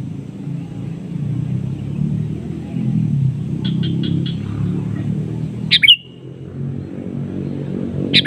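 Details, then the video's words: Sooty-headed bulbul giving a lure call to a rival, which answers: a quick run of four short chips, then a loud, sharp, downslurred note and another at the close, over a steady low rumble. "Kicauan KUTILANG SUARA ASLI bernada panggilan pancingan memanggil lawan bersautan"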